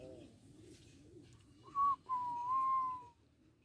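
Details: Juvenile Barbary dove practising its coo: a short clear note, then a longer wavering whistled coo lasting about a second, faint and thin, with quiet room background.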